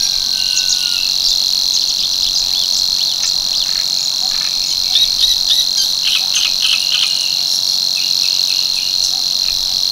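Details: A male Savi's warbler at Tancat de l'Illa in l'Albufera pours out its monotonous strident reel, prolonged and even, with bursts of quick high twittering from other birds mixed in through the middle.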